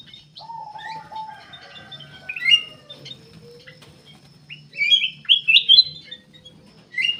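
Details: Black-capped bulbul in full song as a lure for other birds: a soft descending buzzy slur, scattered high chirps, then a loud run of fast whistled notes climbing in pitch, over a faint low hum.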